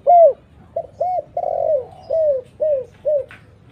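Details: Spotted dove cooing as a lure for other doves: a loud opening coo, then a broad drawn-out falling note and several shorter arched coos spaced about half a second apart.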